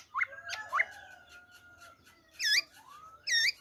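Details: Black-throated laughingthrush singing in wild-type song style, recorded 26 December 2020: a few sharp upslurred whistles, long level tones, then loud buzzy, harmonic-rich notes near the end.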